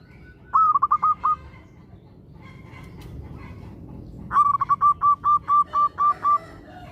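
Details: Local zebra dove in active song, meant to spur other zebra doves to call quickly: a short burst of six staccato cooing notes, a pause, then a longer run of about ten even notes, over constant low background noise.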